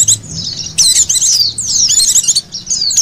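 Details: Oriental white-eye, a recording meant to lure other white-eyes: thin, very high chirps and quick tumbling twitters in rapid bursts, with almost no background sound.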